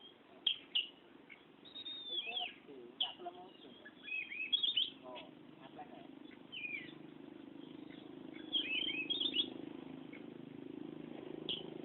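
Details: Oriental magpie-robin's rolling song: scattered whistled and chattering phrases over a steady low hum, with a person speaking briefly.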